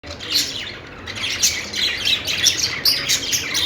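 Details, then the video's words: Budgies on a perch making a happy sound: a quick jumble of high chirps, squeaks and scratchy warbles in short bursts, with brief quieter gaps between the louder notes. "cute budgie making happy sound,budgies singing on perch"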